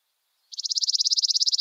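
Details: Chipping Sparrow, Central Texas, singing as spring approaches before migrating north: a fast, dry, even run of high staccato chips, about seventeen per second, with a quiet background; in winter it gives only single chip notes.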